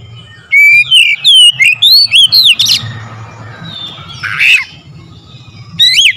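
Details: Oriental magpie-robin song played as a lure to get a bird singing hard and worked up: a fast run of loud whistled slurs, then a quiet gap with a harsh scratchy note, then a brief whistle at the end.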